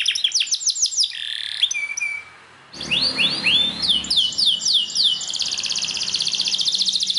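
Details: Belgian canary training song meant to stimulate canaries to sing: rapid descending trilled sweeps repeated about three per second, a brief pause, then upward-curving whistled notes and a fast buzzy high trill.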